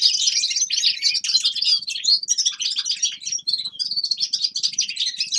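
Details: Lively winter song of forest birds, a fast cascade of bright, high chirps and thin trills that runs without a break from start to finish.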